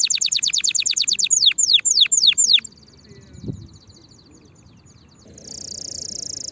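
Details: Canary song used to teach chicks early for next season: a fast run of falling sweeps that slows to four long swooping notes, then a quiet gap and a faint high steady buzz.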